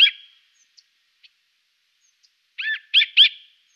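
Siberian jay: a single high, arched note, then three quick arched calls about a quarter-second apart, clear against an otherwise quiet background.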